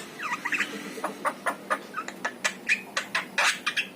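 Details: Yellow-eyed Javan myna singing, intended to set off pet mynas: rapid harsh chatter and clicks, with a few short whistles, in a steady, fairly dense stream over a low hum.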